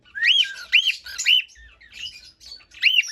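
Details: Cockatiel singing repeated arched whistled notes, four bright rising-and-falling phrases with softer chirps between, over a quiet background.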